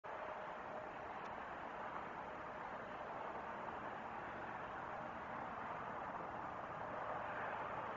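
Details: Continuous rumble of passing vehicles and distant engine noise, with only a brief faint tick and no clear animal call.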